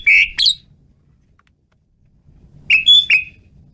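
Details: Asian pied starling singing energetically, giving paired bursts of loud, slightly harsh whistles, each pair separated by about two seconds of near silence with faint low rumble.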